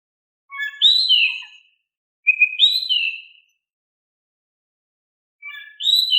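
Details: Oriental magpie-robin in full, calm-voiced song, played to prompt silent magpie-robins to answer: three bursts of clear whistled phrases, rising then sliding down, separated by pauses of a second or more, with no background noise.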